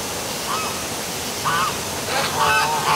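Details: Geese at night beside the Milford, Connecticut waterfall: a soft honk, then louder, more frequent overlapping honks building toward the end, all over steady rushing water.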